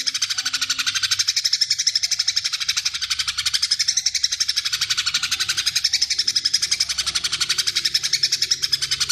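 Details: A Greater green leafbird in full song with long mimicked fill-ins pours out a dense, high, buzzy chatter, notes pulsing about four times a second without pause.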